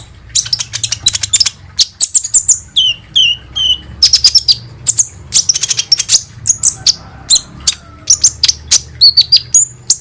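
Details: Lure recording of olive-backed sunbird song meant to prompt birds to sing: dense runs of piercing high chirps, short downslurred whistles repeated three times, and quick twittering phrases continuing throughout.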